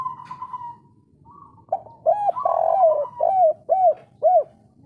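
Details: Kuk 3 call of a local spotted dove, meant to stimulate breeding in other doves: a soft drawn-out note, then a long swelling coo and three clear arched hoots spaced about half a second apart.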